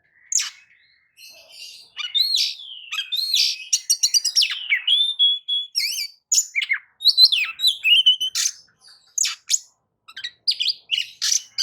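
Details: White-rumped shama singing a varied, rich song of clear whistled phrases, slurred rising and falling notes, rapid trills and sharp chip notes, delivered in quick bursts across nearly twelve seconds, used as a lure song to provoke other birds to sing.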